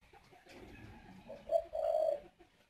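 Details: A male Spotted Dove at a breeding aviary in Ba Vì, Hanoi, gives two low, mellow coos, a short then a longer drawn-out note, on the nest urging the female to lay the next clutch; faint room noise.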